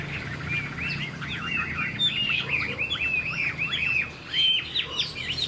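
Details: A newly caught wild Chinese hwamei from this year, still in unmoulted wild plumage, about 80% tamed and flicking its tail, sings a rapid, continuous run of rich whistles and slurred looping phrases over a faint low hum.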